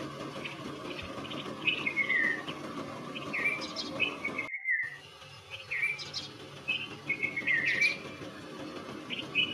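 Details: Red-vented bulbul, the Konda Kurulla, uttering short liquid whistles that dip and fall, repeated at irregular one-to-two-second gaps, briefly interrupted by a short silent cut midway, over faint background hum.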